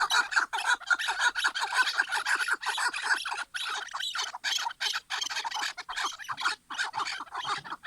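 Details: Clean recording of chukar partridges: crisp, harsh clucks in rhythmic bursts of about two per second, brief gaps between phrases, quiet background.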